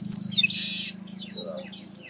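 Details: Chestnut-capped blackbird, locally called Garibaldi or Baia de Chiqueiro, singing: a sharp high whistled note and short chips, then a harsh, flat buzz lasting about half a second, over a steady low hum.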